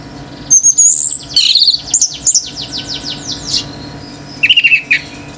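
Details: Orange-headed thrush male belting out song that sets other birds off: high thin whistles, then a fast series of down-slurred notes, a short pause, and a burst of repeated mid-high chirps.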